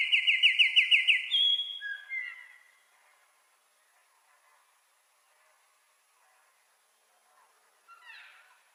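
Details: Wren song opening with a loud, fast series of repeated rising notes for about a second, then falling slurred whistles fading out, a long quiet gap, and a brief fainter burst of song near the end.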